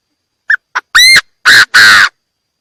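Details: Calling Chinese francolin, recorded cleanly without background noise for playback through a trap speaker. Two short clipped notes lead into a ringing rising note and then two loud, rasping, drawn-out notes, one emphatic phrase.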